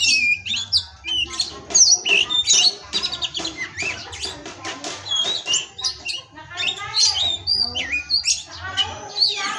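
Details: Captive Oriental magpie-robin (kacer) from a breeding farm in Indonesia, a 'pastol' tutoring song: a long, rich run of varied whistles, sharp chirps and fast trills, phrases tumbling rapidly one after another with only short pauses.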